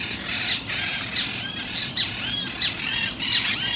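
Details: Monk parakeets giving harsh, high squawks with short arched notes, repeated several times a second in a chattering stream over a steady hiss of background noise.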